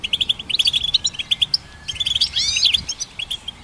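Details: Goldfinch hybrid song, offered as a training recording for songbirds: rapid, bright twittering of short high chirps and trills, quickly repeated, with a few rising sweeps near the end and a faint low rumble beneath.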